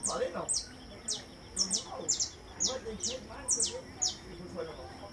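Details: Saffron finch song of bright, high, downward-sweeping notes repeated about twice per second, some doubled, over softer lower warbling and faint chatter.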